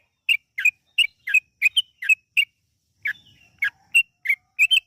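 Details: Lure recording of a yellow-vented bulbul in long, lively song to make birds sing: spaced bubbly chirps, some in pairs, around fourteen notes with a short break in the middle.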